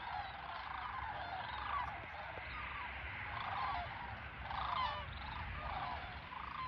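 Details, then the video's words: Nearly 100 sandhill cranes flying overhead in winter at Fort Loramie, Ohio, on 4 January 2023. Overlapping rolling, trumpeting bugles from many birds swell and fade continuously, with a steady low background rumble. "Sandhill Cranes in wintertime Ohio"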